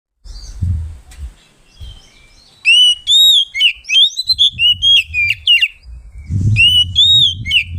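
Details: Oriental magpie-robin in ngeplong style, used as a lure to provoke rival birds: after a low thump and quiet start, loud clear whistled phrases with slurred, rising and falling notes, pausing then resuming with low rumbling underneath.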